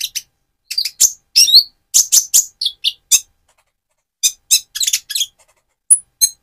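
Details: Speckled-plumage Van Hasselt's sunbird singing as provocation for another bird: irregular bursts of sharp high chirps and twittery notes separated by short pauses.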